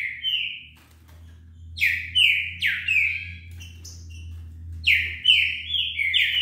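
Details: Wild green-winged saltator singing fast: loud whistled phrases that swoop down sharply, repeated in quick bursts with short pauses between, over a faint low hum.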